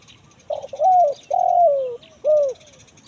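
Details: Spotted dove cooing in the 'kuk 1 mersik' style, a recording used to lure wild birds in the forest: a short clipped note, then two long, slightly descending coos and a final short, bowed coo, all low and mellow.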